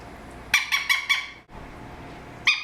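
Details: A 13-year-old male Eclectus parrot, adopted a month ago and kept indoors, gives four quick harsh, high squawks in a row, then a pause and one more squawk.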